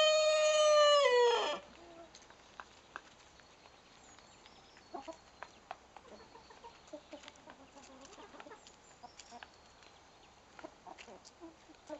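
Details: Young Salmon Faverolles rooster, hatched 19 September 2012, which began crowing about a week earlier. He gives one loud, strained crow of about one and a half seconds that drops in pitch at the end. Quiet follows, with scattered clicks and faint soft sounds.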